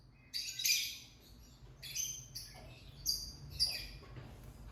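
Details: Lovebird singing and chirping over faint background hiss, a series of high buzzy, rasping chirps in irregular bursts of about half a second.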